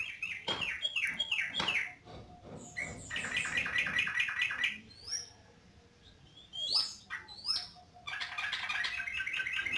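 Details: Yellow-vented bulbul singing: bursts of rapid, bubbly chattering phrases alternating with a few high, rising slurred whistles and short pauses, over a steady low background hiss.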